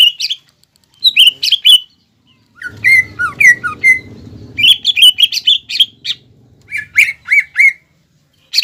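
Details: Captive green leafbird producing provocative battle song with imitated phrases of other birds: scattered sharp chirps and short whistled slurs in bursts separated by brief pauses, over a low rumble in the middle.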